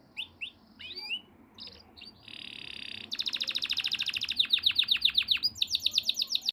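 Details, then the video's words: Scattered soft notes and a short buzz from a yellow canary lead into long, rapid rolling trills that grow louder and continue to the end. "pila Canary"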